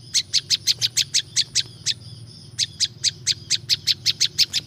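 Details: Natural-sounding prinia chips for attracting wild birds: two rapid runs of sharp, high notes separated by a pause of about half a second, with a low steady hum behind.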